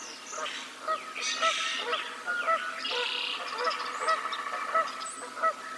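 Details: Geese calling on a spring morning, 17 April 2022, in the North Valley pasture near a bald eagle nest; repeated nasal honks at intervals of about a second, mixed with a chorus of songbirds' chirps and whistles.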